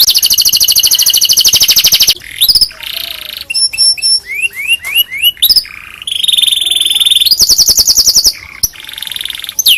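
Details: Canary song used to train other canaries: a long fast high trill, then a buzzy lower section and a string of quick upswept whistled notes, finishing with renewed rapid rolls.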